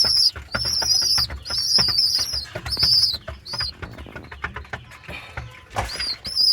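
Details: Pair of squabs, baby pigeons, making their 'chu-chu' squeaks: piercing level squeals in close runs, a quieter stretch of clicks and rustling in the middle, then more squeaks near the end.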